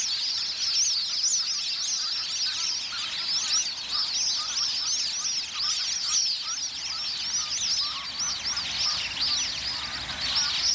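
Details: A flock of plumed whistling ducks (Dendrocygna eytoni) fighting over territory gives a dense, continuous chorus of high, thin, rising and falling whistles, with many birds calling at once.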